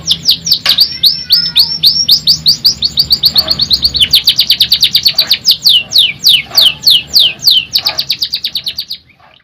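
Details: Canary delivering a long energetic song: brisk whistled notes building into very rapid rolling trills of sharp high downsweeps, then slower, broader descending notes that fade at the end, with a soft low hum behind.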